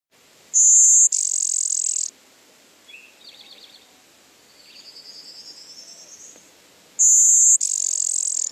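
Blue-winged Warbler giving its high, two-part buzzy song twice: a thin insect-like buzz, then a lower rasping one like blown raspberries. Faint twittering between songs.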